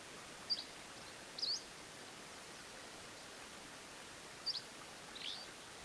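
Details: Dusky Flycatcher song recorded in Colorado: four brief, high, sharp notes spaced unevenly over about five seconds, the last one slightly burry, set against a steady background hiss.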